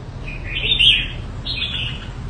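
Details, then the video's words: Two quick chirpy warbled phrases from a Red-whiskered bulbul of the Đại Quang area, Quảng Nam, Vietnam, a bird kept by a fancier, the first louder and rising, over a low background rumble. "Chào mào tố chất Quảng Nam"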